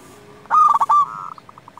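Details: Single loud zebra dove coo from a local Indonesian bird, played to make rival doves sing: a stuttered, trilling phrase that ends in a drawn-out note and a short train of soft pulses.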